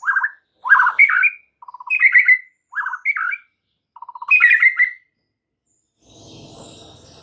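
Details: White-rumped shama lure song to rile other shamas: short warbled phrases alternating with fast trilled stutters, ending in soft background noise.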